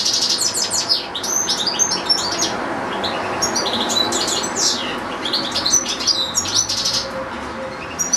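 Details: A caged European goldfinch, one of two kept with a pair of goldfinch-canary hybrids, gives a long unbroken stretch of rapid, jingling twitters and buzzy trills, part of a song recital lasting minutes.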